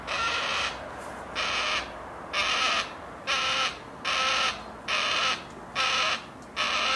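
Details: A juvenile yellow-tailed black cockatoo, perched at a vegetable garden's edge while its parents feed at a seed tray, gives harsh, grating screeches, each about half a second long, repeated steadily almost every second.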